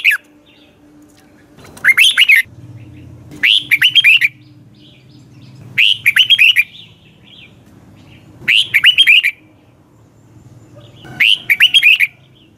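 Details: A red-whiskered bulbul sings its morning song, recorded for training other birds: five short, bubbling whistled phrases repeated about every two and a half seconds over a steady low hum.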